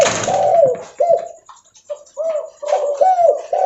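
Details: Leopard-type spotted dove cooing loudly as it walks: a rough opening burst, then a run of short, slurred coo notes with small gaps between them, later notes bending downward at their ends.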